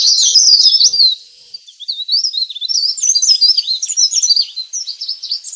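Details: Leaf warbler calls played as a lure for wild birds: loud, high, squeaky twittering for a second, a short pause, then quieter rapid chirps and slurred notes repeating several times a second.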